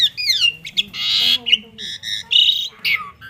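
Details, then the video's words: Asian pied starling song mixing descending whistles with harsh, noisy squawking bursts and short stuttering notes. "jalak suren super mewah"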